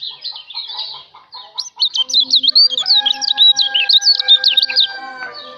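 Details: Kecial lombok, a white-eye, singing for a songbird training recording: quiet twitters at first, then a loud run of sharp, high, warbled notes over steady lower tonal sounds.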